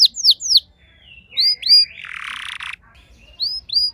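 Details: House canary in response to another singer: a few sharp falling notes, a low slurred glide, and a harsh buzz, then more clear whistled notes.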